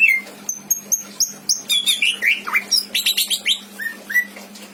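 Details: Kept greater green leafbird singing a varied, lively song: clear whistled notes, slurred rising and falling phrases and bursts of chattering, mimicking other birds, used as a tutor for other caged birds; steady low hum underneath.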